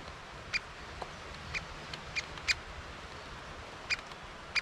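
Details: Great spotted woodpecker at a site with young birds, recorded on a GoPro: crisp, sharp 'kik' notes given singly at irregular gaps, about seven in under five seconds, against a quiet hiss.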